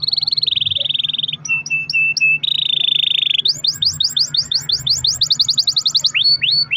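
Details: Long-rolling canary song meant to make other canaries sing: an even buzzy roll, clipped high double pips, a smooth tour, then a rapid series of rising-falling whistled notes, over a soft steady hum.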